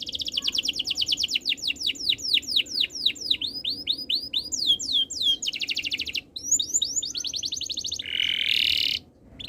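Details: Canary song: rapid runs of repeated high trill notes, then series of rising and falling whistled sweeps, ending in a loud buzzy roll before a brief pause.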